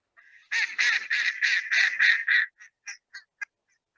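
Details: Mallard in the City of Davis wetlands in March gives a hailing call: about seven loud, harsh quacks in quick succession, then several shorter, softer quacks as the series fades out; a female is present.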